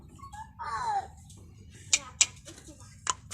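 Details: A talking common myna speaking in village Bengali gives a short speech-like, falling phrase in imitation of a human voice, followed by a few sharp, high clicks and whistles in a quiet room.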